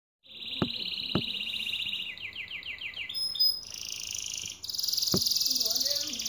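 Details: Caged canary singing: a steady high trill, then a run of quick descending notes and bright buzzy high rolls, with a few sharp clicks in between.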